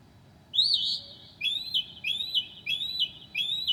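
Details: At 2 a.m., July 2008, a Northern mockingbird mimics other birds: a long burry whistle followed by four quick upslurred whistled notes repeated roughly every half second.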